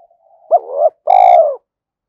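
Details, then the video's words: Decoy spotted dove calling to lure house-kept and wild doves, in the voice style called thổ đồng: a single loud, mellow coo phrase of two low hooted notes, the second longer and slightly buzzy, then silence. "chim cu gáy thúc + gáy gọi những con bổi nhà + bổi rừng"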